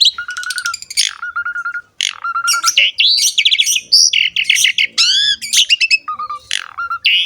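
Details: Asian pied starling, gacor masteran song: rapid clicking trills, flat low whistled notes, arching slurred phrases and rasping bursts, delivered loudly and almost without pause.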